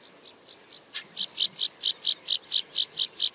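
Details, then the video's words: Meadow pipit (Anthus pratensis) display song during its parachuting display flight over wide open habitat at Fenns Moss NNR on a windy day: thin, high, sharp notes, soft at first, growing louder and steady at about four per second. "Meadow Pipit display song"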